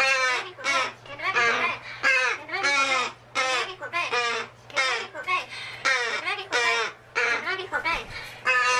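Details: Talking pet magpie, male, known to mimic the phrase 'peach come here': a rapid run of short, harsh, wavering harmonic calls, roughly forty-five a minute, loud and irregular, with a low steady hum behind.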